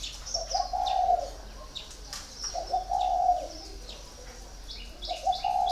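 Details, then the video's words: Spotted dove, in a cage for four years, repeating mellow coo phrases about every two seconds, each slightly falling at the end. Scattered high chirps of smaller birds in the background. "còi 4 năm lồng"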